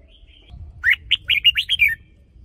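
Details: Cage-kept red-whiskered bulbul giving a hunting-line lure song: a fast series of about six clear, chirpy whistled notes, slurred and slightly descending, over a soft low rumble.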